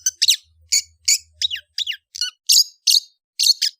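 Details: Long-tailed shrike (cendet) in kicau ocehan chattering song: sharp, high, scratchy notes in short separated bursts, some sliding downward, about two bursts per second, with a faint low hum in the first half.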